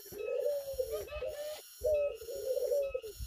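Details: Zebra dove, tame and kept outdoors, uttering two long, throaty, vibrating coos of steady low pitch, each lasting over a second, separated by a brief gap, with a faint continuous high whine behind.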